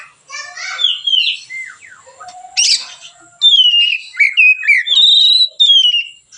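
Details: White-rumped shama singing in a relaxed way, a recording meant as a lure for training other songbirds; varied whistles, a harsh rasping burst, then a run of sweet descending whistled notes in quick succession.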